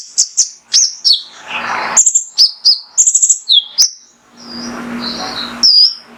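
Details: Male Mangrove whistler (konin) in full 'tembakan' burst song, used as training material to provoke other birds into singing: sharp high chirps and slurred whistles, broken by two stretches of broad hissing noise with a low hum.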